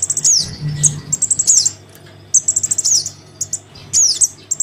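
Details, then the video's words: Crimson sunbird chick calling its parent, played as a lure: very high, thin chips and rapid trilled bursts with sharp downslurred notes, in clusters separated by short pauses; a faint low hum underneath. "Suara pikat [anakan sogon memanggil induknya]"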